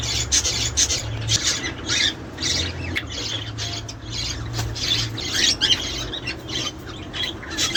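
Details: Chattering budgerigars for encouraging mating and breeding: busy mix of buzzy warbles, squeaks and squawks from more than one bird, over a steady low hum.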